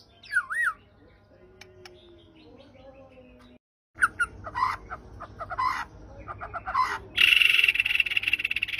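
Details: White-rumped shama in full varied song used as a lure to stir up other shamas: a looping slurred whistle, then quick bursts of harsh chattering squawks and sharp notes, ending under a loud buzzy hiss.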